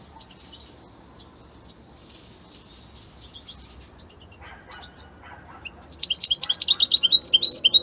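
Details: European goldfinch of the Italian type singing: a few faint, scattered high notes, then a loud burst of rapid, bright, tinkling twitters over the last two seconds.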